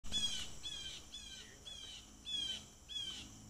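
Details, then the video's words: Blue jays calling at a water deck, captured by a trail camera with birds all over the railing; about six harsh, downslurred squawks in quick succession over three seconds, with a steady insect hum behind. "Do you hear all the blue jays calling?"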